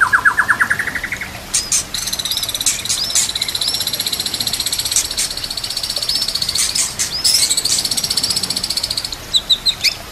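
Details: White-rumped shama singing for training use, opening with a lower rapid trill, then long high buzzy trills broken by looping whistled notes and sharp chips, with a soft background of nature sounds and trickling water.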